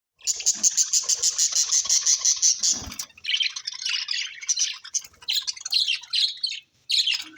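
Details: Budgerigars kept at home, giving a dense run of fast, high buzzy chatter in steady pulses, then broken scratchy squawks and twitters in short bursts.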